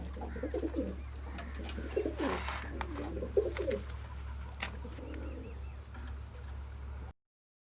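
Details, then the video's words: Low pigeon coos, irregular and uneven in spacing, broken by a brief broadband rustling or flapping burst, with a steady low hum underneath. "kabotar ki awaz | sound of pigeon"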